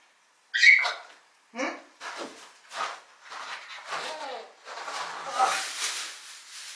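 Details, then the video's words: An 11-year-old pet grey parrot chatters in short bursts of mimicked speech, with a sharp whistle at the start, in a small indoor room. "Lilo am quatschen"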